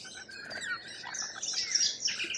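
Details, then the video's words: Brief burst of Australian lorikeet calls, a tangle of shrill squeals and whistled high notes over a rasping background chatter that grows louder toward the end. "Australian wildlife Lorikeet"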